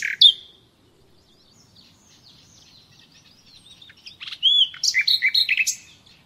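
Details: Common nightingale song meant for training caged birds: one sharp note, a long stretch of very faint warbling, then loud rising whistles and rapidly repeated chirps.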